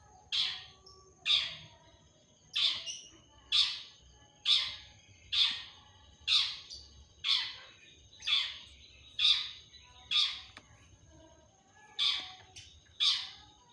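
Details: Long-tailed shrike (cendet) singing actively in a mimicry-filled 'tembakan' style: a steady run of about thirteen harsh, rasping, downslurred notes, roughly one every second, with short, even pauses between them.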